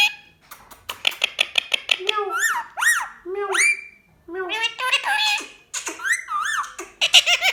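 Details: Male rose-ringed parakeet over 10 years old talks with its owner, chattering in a high, squeaky voice with mimicked speech-like phrases, clicks, giggles and swooping whistles in quick bursts.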